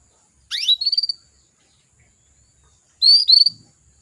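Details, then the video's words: Female canary calling to males, used to stir male canaries into singing: two short calls about three seconds apart, each a fast upward sweep into a high, slightly wavering whistled note, with otherwise quiet surroundings. "PANCINGAN KENARI BETINA MEMANGGIL JANTAN"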